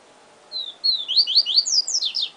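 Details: One yellow-bellied seedeater phrase of the 'siu siu professor' song, steady whistles opening into a lively cascade of sharp slurred notes, sung clearly over quiet background.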